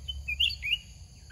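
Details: Red-whiskered bulbul, described as a large wild bird with a big voice and a fierce, very fast phrase, heard while birds are lured with a caged decoy: a quick run of three bright whistled notes, rising then falling, over low rumble.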